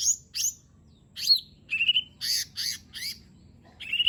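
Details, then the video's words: Lesser green leafbird singing a phrase-rich song with fill-ins, used to coax a reluctant bird into singing: separate sweeping whistled notes and short buzzy bursts at high pitch, with gaps between the phrases. "Cucak Ijo Mini 💯 Nembak Isian Bagus Buat Pancingan Jomin Malas Bunyi Agar Cepat Gacor"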